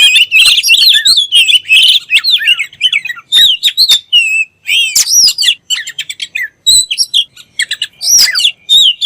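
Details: Kacer, the oriental magpie-robin, in varied song: bursts of twisting whistled notes and sharp clicks, broken by short pauses, some phrases dipping then rising again.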